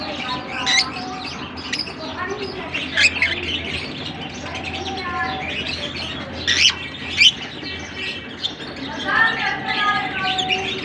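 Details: Chattering lovebirds in Larkana: rapid scratchy chirps, sharp squeaks and little rising-falling whistled phrases overlap continuously, with a faint low hum behind.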